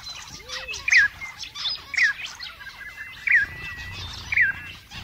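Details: Australian zebra finch, also called chestnut-eared finch, giving four short, bright, downslurred call notes about one second apart over a soft background of chirps and rustling, with a brief lower arched note near the start.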